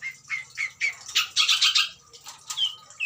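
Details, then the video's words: Breeding-stock adult Long-tailed Shrike singing a mimicry-filled song. Short clear whistled notes open it, then a dense scratchy burst and two rising whistles near the end. "burung pentet indukan super full isian"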